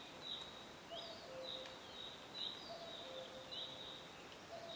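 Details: In a forest, a faint, low two-note cuckoo call, the second note lower, repeats about every two seconds beneath brighter, high-pitched chirps from other birds.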